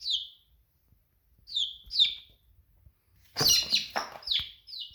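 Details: Domestic chick giving high, falling peeps, a few spaced notes early on, then a louder burst of overlapping chirps with some broadband clattering noise toward the end.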